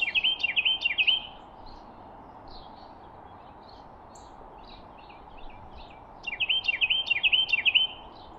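A Carolina wren gives rapid rolling phrases of loud, clear whistled notes, two bursts about five seconds apart, with softer chips between over steady background hiss.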